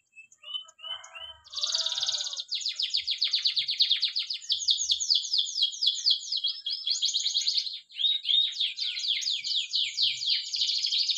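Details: Spanish Timbrado canary singing a training song: long fast metallic trills and rattling rolls, high and continuous, changing tempo every second or two, a few softer lower notes at the start.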